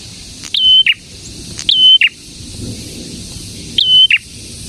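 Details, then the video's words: Three spaced phrases from a prinia known locally as prenjak tamu or prenjak merah: a rising note, a pure level whistle, then a lower burst, repeated roughly every second or two. "BURUNG PRENJAK GACOR INI AMPUH UNTUK MIKAT PRENJAK DAN PANCINGAN PRENJAK BISU AGAR CEPAT BUNYI"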